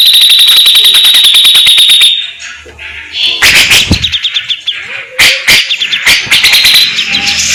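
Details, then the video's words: Caged grey-cheeked bulbul singing fast besetan-style phrases: a long rapid high trill of repeated notes for two seconds, a brief lull, then loud sharp strokes mixed with quick chattering twitters. "CUCAK JENGGOT GACOR BURUNG ISTIMEWA TEMBAKAN ADU BESETAN SPEED RAPET"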